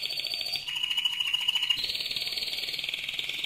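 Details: Loud mosaic canary song made of unbroken rolls: a high trill dips to a lower, slightly slower tour, then jumps back up into a bright rapid buzzing roll.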